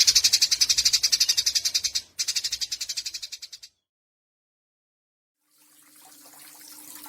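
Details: Eurasian tree sparrow, Yogyakarta, 29 October 2022, in a training recording of long 'nyecret' chatter: two bursts of fast buzzy pulsing, then silence, then soft low background noise with a faint hum.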